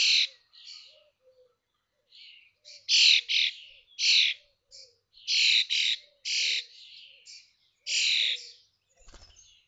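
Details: Nestling common starlings, 21 days old, in a connected nest box at Théding on 19 May 2024 as the brood fledges: a run of loud grating, noisy screeches, roughly one every half second, with softer scratchy notes between.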